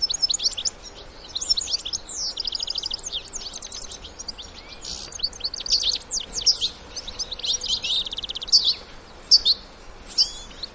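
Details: European goldfinch adults with their young in the wild, a wild twittering song style: fast, tinkling twitters and buzzy trills, bright upward and downward slurs, and liquid notes in dense bursts. Quiet background.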